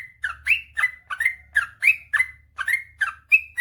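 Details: Sooty-headed bulbul in long ropel panjang song for rousing quiet cage birds: rapid bubbling whistles, roughly three notes per second, each note a bright swooping chirp ending in a higher clear whistle.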